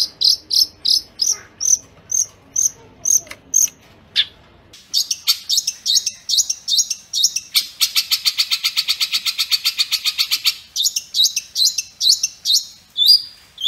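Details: Long-tailed shrike, a master recording for training caged songbirds, in the kuntilanak-linked-to-gereja-tarung style: sharp high whistled notes repeated about twice a second, then a fast dense buzzy trill, then varied chattering phrases.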